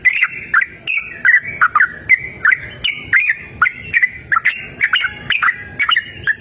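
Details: Yellow-vented bulbul in lively, persistent song, recorded in cool open natural surroundings: short liquid whistled phrases slurring between higher and lower notes, given in quick succession with brief pauses.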